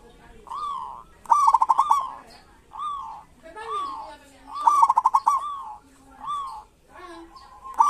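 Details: Rolling, burbling coos from local zebra doves in kerot and bekur style, meant as a lure for reluctant doves. Phrases come every one to two seconds, some with sharp clicking starts, and several birds answer one another.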